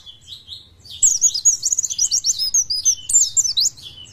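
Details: Oriental white-eye, described as fit and singing loudly, opening with soft high notes before breaking into a fast, continuous chatter of thin, sharply slurred whistles.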